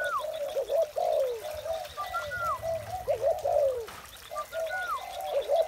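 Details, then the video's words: Morning chorus of spotted doves: deep, throaty coos overlapping in uneven bursts, broken by short sliding whistles that drop in pitch, with a soft low rumble in the background. "Một buổi sáng tràn ngập niềm vui từ tiếng chim cu gáy"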